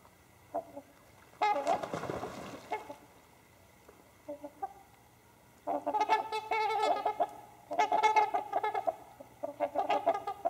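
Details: Trumpeter swans settling for the night give a run of nasal, horn-like honks, several birds overlapping in bursts. A brief rush of splashing or wing noise comes early on.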